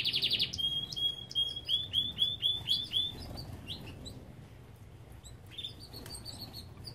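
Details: Song of an aviary Belgian canary: a rapid opening trill, then a string of bright upslurred whistles about four per second, trailing off into quieter scattered chirps and a short trill.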